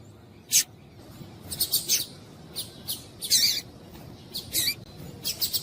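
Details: Female Double-collared Seedeater giving short, high, sharp chips, singly and in quick clusters of two or three, about a dozen in all, over a quiet background; the female call is used to stir males into singing.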